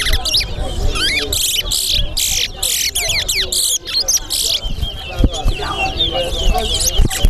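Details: Towa towa bird in a head-to-head bird race at Sheriff Street bird ground. A rapid run of sweet whistled and twittering notes is half-buried under busy crowd voices and counting.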